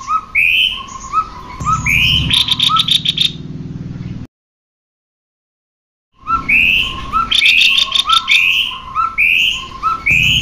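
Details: Male and female cucak kopi singing, used to get birds singing. Repeated upslurred whistles with low chirps and chattering click bursts are cut by a two-second silence, then the pattern resumes.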